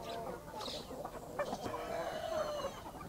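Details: Hen and chicks in a country backyard at morning: rapid uneven clucking, several calls a second, then a longer drawn-out tonal call near the end, with faint high peeps.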